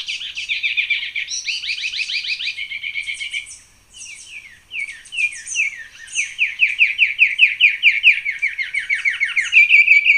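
Carmiol's tanager in a rapid run of high, squeaky chattering notes, repeated steeply falling slurs tumbling together, briefly pausing before resuming.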